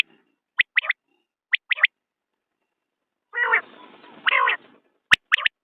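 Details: Common quail uttering quick high three-syllable notes in pairs of phrases. A drawn-out, rasping, buzzy passage follows, and then the sharp triplets start again.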